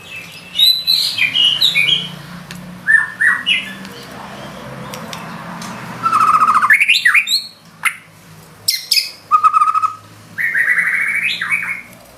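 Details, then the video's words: White-rumped shama firing off its 'isian' fill-in phrases in lively 'gacor' style: bursts of varied whistles, sharp chirps and rising slurred notes, some clear sustained tones, separated by short pauses over a low background hum. "Murai batu nembak isian gacor"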